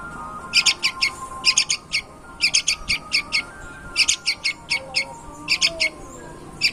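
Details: Yellow-vented bulbul of superior stock singing energetically: clusters of rapid, high, scratchy notes come in short bursts roughly every second, with faint tonal background sounds underneath.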